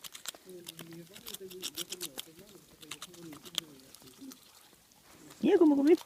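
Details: Duck making rapid, machine-gun-like noises while eating: a fast run of dry clicks over low, murmuring tonal notes for about four seconds, then a louder wavering voice at the end.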